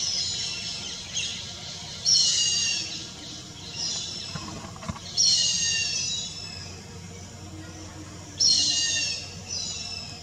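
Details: Grey hornbill calling: harsh, high squealing bursts, loud at onset and fading, repeated roughly every three seconds with quieter echoing notes between, over a low steady hum and a faint continuous tone.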